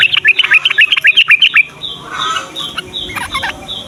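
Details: Yellow-vented bulbul singing in the morning, a recording used to prompt young and silent bulbuls to sing: a fast run of bright, chirpy notes about ten to the second, then fainter chirps and a steady repeated high chip from other birds.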